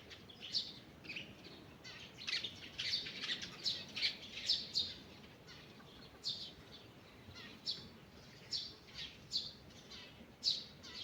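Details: Birds singing in a forest in the morning, with repeated bursts of high, bright chirps and twitters, several songs overlapping, coming in clusters every second or two over quiet background hiss.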